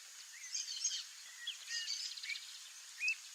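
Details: Wild streamer-tailed tyrant in open Brazilian wetland marshes, a migratory bird: scattered short sharp notes and brief chirps, one bright rising note near the end, over a steady hiss of background noise.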